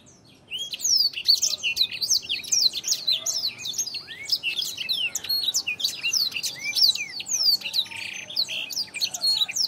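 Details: Blackthroat song used as masteran training material for songbirds; after a brief quiet start, a rapid, continuous warble of high twittering notes, quick slurs and trills pours out without pause for about nine seconds.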